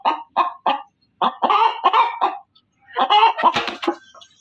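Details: Loud hen calling: three short harsh clucks spaced evenly, then a longer run of buzzy, nasal cackles and a final drawn-out squawking burst, with brief silences between phrases.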